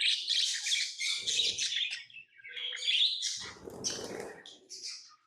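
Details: Loud, piercing lovebird chatter with fast, squeaky chirps pours out in two long runs, joined by lower rustling or fluttering sounds.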